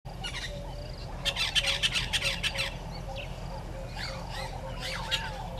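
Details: Red-billed hornbill at its nest tree by Gowrie dam waterhole, Djuma Game Reserve, Sabi Sand Wildtuin, South Africa, 30 January 2020 at 10:09: a short burst of rapid clucking notes, with other birds whistling and a low background hum.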